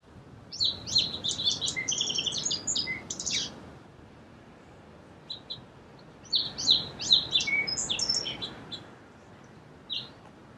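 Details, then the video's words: Song sparrow heard twice, singing fast sequences of sharp chips, buzzes and trills with a quiet gap between songs, over a light background hiss. "Song Sparrow Bird Sound"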